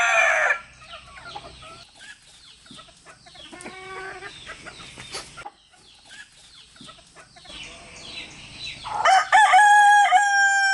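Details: Roosters among their hens, three males crowing to communicate: the end of one crow opens, soft clucks and small-bird chirps fill the middle, then another loud, harmonic crow starts and is cut off.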